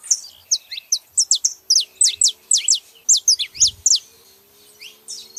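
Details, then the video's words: Female and male saffron finches produce a loud, rhythmic string of sharp, high downslurred chirps in quick succession, then fade to softer notes; a brief low thump is heard midway. "canários da terra fazendo barulho fêmea e macho"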